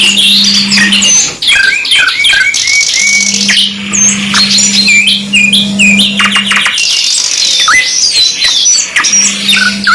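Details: Canary song, 2-in-1 masteran: sharp repeated notes, long bubbling trills and ringing whistles packed closely together, with an intermittent steady low hum.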